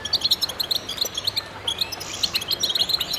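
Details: Several goldfinches singing in concert, a short burst of crisp, high, chattering notes in quick succession, bell-like and liquid, overlapping voices with a faint hiss behind.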